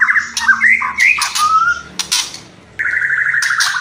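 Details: White-rumped shama song, kretekan and whistling: clear whistled slurred notes rising and falling, broken by short harsh bursts, then a steady buzzy trill near the end.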